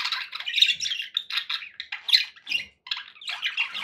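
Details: Pet budgerigars in cheerful mood, a continuous flow of squawky chirps and scratchy warbles with a few sharper peaks and one short gap near the end.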